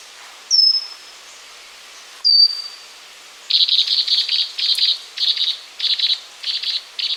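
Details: Pygmy wren-babbler (Pnoepyga pusilla) sound: two high, thin descending whistles a couple of seconds apart, then a long run of short, buzzy, rattling pulsed bursts repeated steadily, roughly two per second, above a faint hiss.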